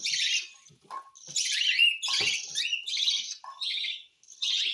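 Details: Hand-fed cockatiel producing six rough, scratchy bursts in under five seconds, one with a brief whistled note, and short quieter tones in the gaps.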